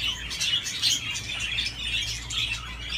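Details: Budgerigar playing on a swing, giving rapid scratchy chirps at roughly two per second in an uneven warbling chatter, with a low hum in the background.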